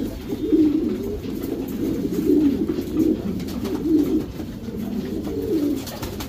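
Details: Low rolling coos from Racing Homer pigeons in their breeding section, about six burbling phrases in quick succession over a steady indoor hum.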